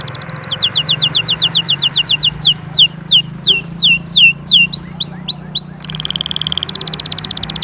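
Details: Canary song meant to stimulate chicks to sing and ready the females: a quick pulsed trill, then long whistled notes sweeping sharply down about three per second, turning into upward loops, closing with a fast buzzy trill over a low hum.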